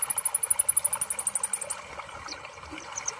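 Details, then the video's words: A sunbird gives a fast, very high trill of thin ticking notes, about eight a second, then scattered sharp chips over a soft rushing, water-like background. "Terapi Kolibri ninja Malas Bunyi"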